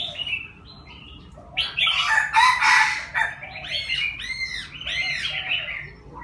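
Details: Young Chinese francolin, six months old, trying out its crow: after a few thin notes a loud rough burst, then a string of arched, raspy syllables repeated about three times a second, uneven and unfinished.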